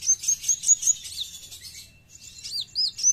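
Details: Kept brown-throated sunbird in besetan song: a burst of high, sharp, upslurred chips, then a hissy, smeared passage and a few high swooping notes.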